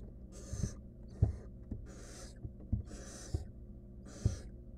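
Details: Wild barn owl nestling in a monitored nest box, trying to eat a stolen rodent by itself: four long, harsh, breathy hisses in under five seconds, between low thumps and scuffles of movement in the box.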